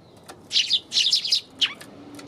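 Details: Eurasian tree sparrow recorded on January 27, giving bright, short chirps in quick clusters of two or three, with a louder separate chirp near the end and a quiet background.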